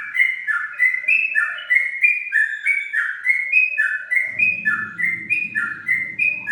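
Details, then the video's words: Trucukan, the yellow-vented bulbul, in lively ngingklong song. Bright whistled notes alternate high and low in a steady chain, several per second. A low rumbling noise enters near the end. "Trucuk Ngingklong Gacor"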